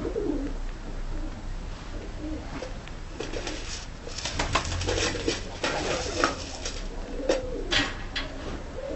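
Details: Tumbler pigeons kept in a loft, looking timid. Low, soft rolling coos repeat through the first seconds. Sharp clattering and rustling from birds moving follows, over a steady low hum.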